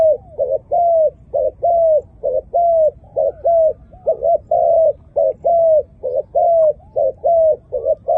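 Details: Malay zebra dove cooing in a long, steady, rhythmic series of short, mid-pitched notes, roughly fifteen clipped coos at a regular pace, some level and some slightly falling, over a quiet low hum.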